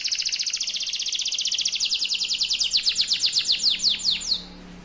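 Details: Yellow canary delivering a long trill: a steady run of very fast, high, clipped notes, slowing into broader downward sweeps toward the end before stopping, with a faint low hum behind.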